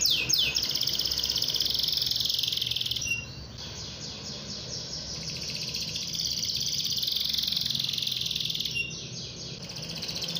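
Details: Domestic canary singing to goad other canaries into song: a sustained high buzzy trill held for several seconds, broken by short pauses, over steady low background noise.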